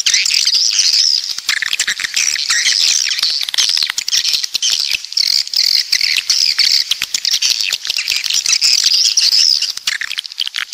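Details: A long run of coastal swiftlet chorus from the south: dense shrill chirping and thin whistled trills without pause, with rapid ticking clicks throughout.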